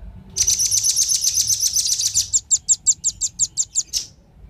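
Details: A rapid, high, buzzy trill from male and female velvet-fronted nuthatches, used to draw in wild birds, slows into a string of separate sharp chips before stopping.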